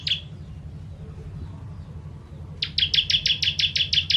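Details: Bar-winged prinia (ciblek kristal) in its 'tembakan pedas' style, meant for tutoring songbirds: a single sharp note, a quiet gap of over two seconds, then a fast run of about ten bright high staccato chips.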